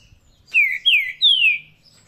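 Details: Paraná-style song of a trinca-ferro, or green-winged saltator: three clear, loud whistled notes, each gliding downward, spaced about a third of a second apart against a quiet background.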